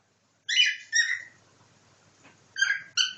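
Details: Pet cockatiel copying a nightingale indoors: a few harsh, buzzy harmonic notes, two at the start and two at the end, separated by a quiet gap with faint low rumble.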